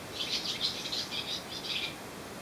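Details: Several swallows sitting on a wire on Susak island sing in a quick twittering burst of high chirps and warbles, a rapid run of short notes lasting about two seconds before fading.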